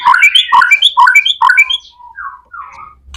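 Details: A white-rumped shama sings vigorously as a lure for other shamas: about five rhythmic, bouncy phrases of rising chattered notes, then softer drawn whistles trailing off.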